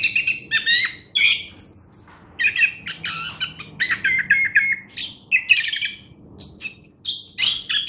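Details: Orange-headed thrush, a competition-grade songbird, singing a lively sequence of chirps, rising and falling whistles and high squeaks, phrases following one another every half second or so.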